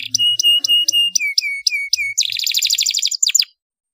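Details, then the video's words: Canary song for training young birds, 'ngeroll' rolling style: evenly spaced whistled notes repeated about four times a second, then a sudden fast buzzy roll and a few sharp falling chirps. "SUARA CUIT CUIT KENARI NGEROLL NEMBAK UNTUK PANCINGAN KENARI MUDA BAHAN PAUD"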